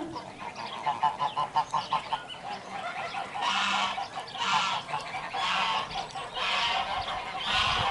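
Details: Domestic geese on a goose farm in Lök village, Yozgat, Turkey, honk repeatedly: a quick series of nasal calls followed by broader overlapping honking from several birds.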